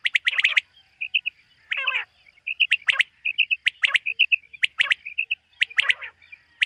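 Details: Common quail heard on a summer meadow at morning, uttering quick high chirps and sharp double clicks interspersed with soft piping notes and one scratchy, grating burst, spaced roughly every second.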